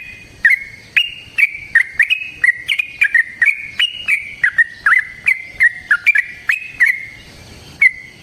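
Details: Yellow-vented bulbul delivering a long fighting song, played as a lure to make bulbuls sing keenly; an unbroken stream of lively, clear whistled notes, often doubled, runs for about seven seconds before fading to one last note.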